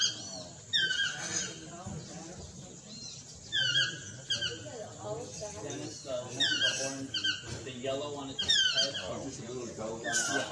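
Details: Swainson's or chestnut-mandibled toucan, subspecies Ramphastos ambiguus swainsonii, repeatedly yelps in short bursts of sharp, descending squealing notes, about eight bursts in ten seconds, with human speech murmuring underneath throughout.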